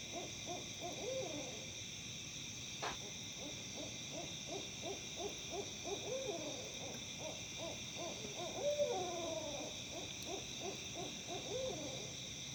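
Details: Owls calling in Tennessee, an unusual outburst compared to monkeys: quick series of low hoots mixed with quavering descending cries, one sharp click, and a constant shrill insect drone behind.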